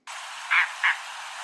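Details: Mangrove Cuckoo of South Florida hammocks and mangroves, more often heard than seen, giving two short, frog-like croaks about a third of a second apart over steady hiss.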